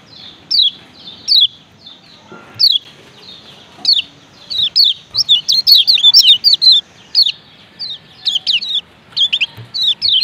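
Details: Male lemon-bellied white-eye from Lombok giving its 'ciak ciak' call: sharp, downward-slurred high chirps, singly and in quick pairs at first, then running into denser rapid bursts, with a faint low background hum.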